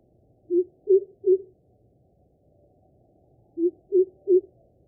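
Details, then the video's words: Greater coucal, known in Bengali as kubo, giving its deep, booming call: two bursts of three low hollow hoots, each a short 'coo' in quick succession, separated by a pause of about two seconds, over a quiet background. "Greater Coucal Calling"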